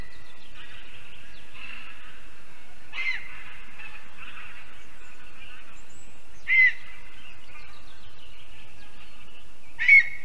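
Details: Lesser spotted eagle female at her spruce nest in Zemgale, Latvia, newly returned from Africa to breed, April 2022 evening: sharp high yelps at irregular intervals over ten seconds, with faint twittering of small birds behind.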